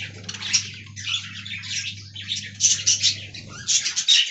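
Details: Aviary budgerigars chattering: buzzy warbled phrases and bright whistled chirps, growing busier toward the end, over a steady low hum.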